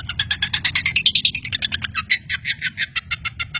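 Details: Long-tailed shrike singing to provoke silent birds into song: a dense, fast run of sharp chattering notes, about six per second, with a low hum underneath.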